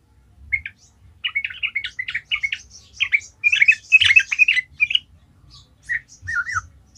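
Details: Yellow-vented bulbul in energetic, constant singing, kept as a lure to excite other bulbuls into song: bubbling, chattering phrases of quick slurred notes, repeated in bursts with short pauses, louder in the middle.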